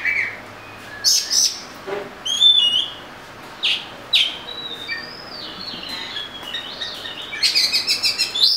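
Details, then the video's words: Oriental magpie-robin song: scattered chirps and whistles, a longer sweet warbled phrase midway, then a quick run of repeated notes at the end. "Murai Kampung/ Magpie Robin"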